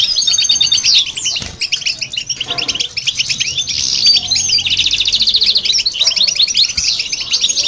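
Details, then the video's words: European goldfinch and a hybrid in full song, meant to stimulate other birds: rapid high chattering and liquid trills overlapping without pause, a few sweeping whistled notes, and two short soft gaps. "Goldfinch And The Hybrid To Hear And irritate The Birds"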